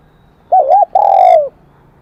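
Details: Wild-caught spotted dove in the kim đồng voice, the high, bell-toned song style: one clear cooing phrase, a rippling two-part note and then a drawn-out, mellow tone easing downward, against faint low hum.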